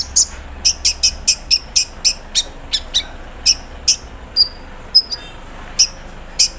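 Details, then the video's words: Caged olive-backed sunbird put out in the morning dew, singing with an imitated embroidery-machine sound in a 'cerrr' style. Regular high, clipped ticks repeat about every third of a second, then give way to a few thin whistled notes. "KONIN KELUAR ISIAN MESIN BORDIR, CERRR SAAT DI EMBUNKAN PAGI HARI"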